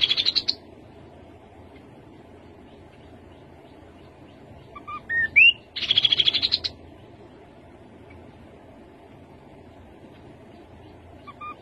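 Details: Rufous-capped babbler song: short bright buzzy bursts high in pitch, with a brief clear rising whistle between them and long quiet gaps.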